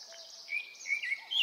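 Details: Brief snatch of Japanese thrush song from an early-summer Hokkaido forest, recorded on a Nikon Coolpix P950: a few short high whistled notes rising out of steady background hiss.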